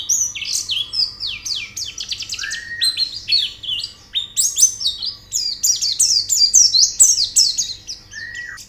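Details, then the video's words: Training recording of white-eye song meant to prompt a bird to sing: rapid, high, chattering phrases of steep downward-slurred notes, densely packed, with a couple of lower drawn-out whistled slurs mixed in. "Terapi Pleci Cepat Gacor Buka Paruh"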